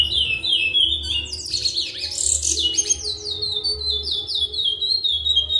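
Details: Captive male chestnut-bellied seed finch, a breeding bird, singing loudly close up. Clear whistled notes slur up and down in quick runs, broken by a bright, jumbled burst in the middle, over a low steady hum.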